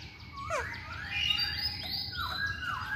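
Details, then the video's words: Masked laughingthrush in active song: quiet, overlapping whistled slurs, some rising and some falling, over a soft low background hiss. "Burung Poksay Hongkong Gacor"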